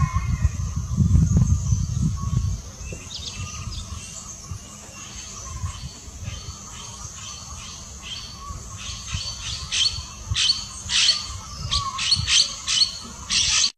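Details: Spot-breasted woodpecker (Colaptes punctigula) call: a run of sharp, high notes about two per second, loudest in the final seconds; wind rumble at first, insect hum behind.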